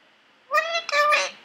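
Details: Three-year-old male Indian ringneck parakeet kept as a pet indoors, chattering away while unaware of being filmed; a clear high-pitched harmonic phrase in two connected parts, voice-like, resembling "what are you doing".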